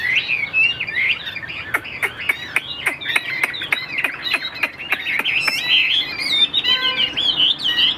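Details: A Tam Hoàng Chinese hwamei, noted for steady, well-delivered song and a calm nature, whistles busy warbling phrases while a string of sharp tapping clicks repeats through the middle of the passage.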